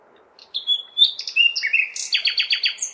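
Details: Common nightingale's nighttime song in May, recorded in a large city: varied whistled notes and slurs leading into a fast, loud rattle of about six repeated sharp descending notes, with soft low city noise behind.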